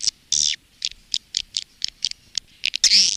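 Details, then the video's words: Swiftlet calling and roosting sound of the kind used by swiftlet farmers in Indonesia: sparse short high chirps and clicks spaced irregularly, ending in a louder buzzy twitter. "SUARA PANGGIL DAN INAP BURUNG WALET"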